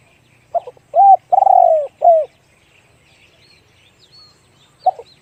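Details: Spotted dove in the one-kook, big-voiced song style. A short note, an arched coo, a long stuttering coo and a closing arched coo, then silence before the bird starts a new phrase. Distant small birds twitter faintly, with a low hum.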